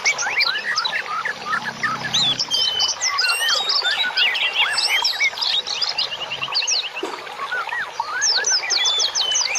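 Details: Birdsong used to train and soothe cage birds: a dense, continuous tangle of quick whistled notes sweeping up and down, many overlapping phrases with short trills, with a faint low hum early on.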